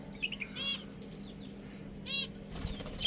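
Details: Budgerigar breeding pair chirping: two short warbled bursts of stacked, slightly rising chirps about one and a half seconds apart, with softer twitters between and a steady low hum underneath.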